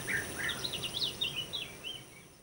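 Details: Rolling, bubbling trills from a European bee-eater, about ten rippling notes that rise and dip in under two and a half seconds and fade toward the end, with a faint high insect whine behind.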